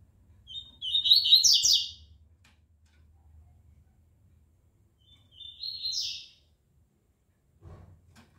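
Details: Two double-collared seedeaters warming up before a song tournament the next day: two separate bursts of high, twittering, buzzy phrases rising at the end, with quiet gaps and faint knocks between.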